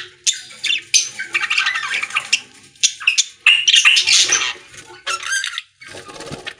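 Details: Group of budgerigars in a pet store chattering rapidly, scratchy squawks and warbles about two or three per second, one bright whistled slur near the middle, a low thump near the end.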